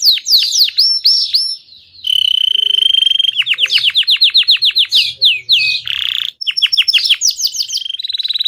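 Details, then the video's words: Energetic Belgian canary singing: descending whistled notes, a long level trill, runs of rapid downward chips, a short rough burst, and further bright sweeps and a final steady trill. "Canário belga cantando com disposição/Belgian canary singing cheerfully."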